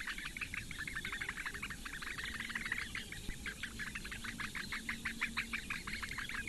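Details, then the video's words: Four Eurasian bittern chicks being fed breakfast by the female at a webcam nest in the reedbeds of Lake Engure, Latvia, on a May morning. They give rapid ticking calls, about three a second, in a continuous chattering stream over a steady background rush. "Latvian Bittern~Breakfast for the four chicks~"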